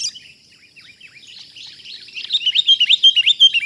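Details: Wild sooty-headed bulbul caught up in a trapping attempt: soft scattered chirps build into a loud, rapid series of sharp, bent notes, about three per second, over a faint high hiss.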